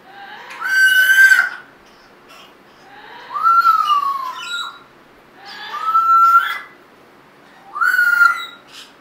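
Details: A female Hyacinth macaw at a Texas parrot rescue, being silly when happy, gives four drawn-out, rasping calls that rise then level off. Each lasts about a second and a half, spaced two to three seconds apart.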